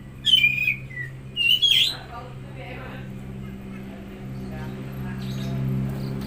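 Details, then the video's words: Oriental magpie-robin song used as a lure to stimulate a silent or stressed bird: two loud whistled phrases with sliding notes in the first two seconds, then quiet with a steady low hum. "Pancingan Suara Burung Kacer Macet/Stres"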